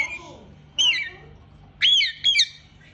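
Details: Pet rose-ringed parakeet, called mithu, vocalising: short harsh squawks and whistled calls sliding between pitches, three loud bursts spread over three seconds with quiet gaps.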